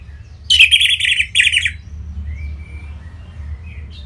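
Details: Orange-headed thrush (punglor merah) singing in North Bali, Singaraja, offered as a lure to prompt other birds to sing: one dense burst of rapid, harmonically rich chattering notes lasting about a second, then a thin faint whistle over low hum.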